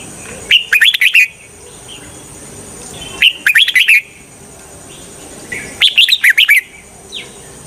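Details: Red-whiskered bulbul used as a decoy to lure wild birds for trapping: three bright, quick warbled phrases of four or five rising-and-falling notes, spaced about every two and a half seconds, with a steady high hiss behind.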